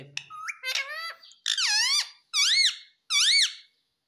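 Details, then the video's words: Pet green ringneck parrot in a small room gives a run of loud, harmonic squawks that arch up and down in pitch, three or four repeated notes near the end. "पापा मम्मी बोलने वाला मिट्ठू || Talking Parrot || Papa Mummy Bolega Mitthu"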